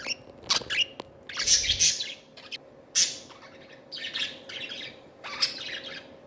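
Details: Pet budgerigars at playtime, three tiny birds together, chattering in rough, buzzy squawks and high chirps in clusters a second or so apart over a low background hum.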